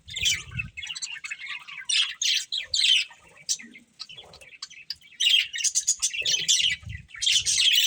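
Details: Pair of breeding budgerigars in bursts of chirps and squawky chatter separated by short quieter gaps, with occasional low thuds.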